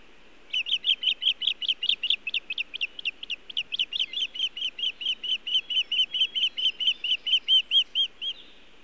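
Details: Osprey at a nest cam site of the Montana Osprey Project on 1 June 2017 at 18:14, arriving with nest material but no fish: about thirty sharp whistled chirps in rapid succession, over two per second, slightly lowering and softening toward the end.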